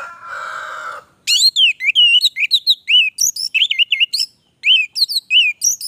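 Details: An orange-headed thrush opens with a one-second harsh, buzzy rasp, then breaks into a lively stream of varied whistled slurs and chirps with short breaks.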